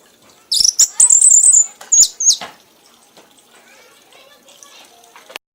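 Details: Red-whiskered bulbul, a prize-winning singer, in a frenzied singing bout: a high, fast twittering phrase with sharp whistled slurs for about two seconds, followed by quiet rustling and faint background noise.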